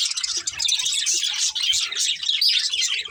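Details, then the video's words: A breeding pair of budgerigars chattering: steady stream of warbled chirps and thin whistled notes, some brief squeaky rises, with faint low bumps underneath. "Cute Budgies Chirping Sounds | Love Birds Breeding Pair"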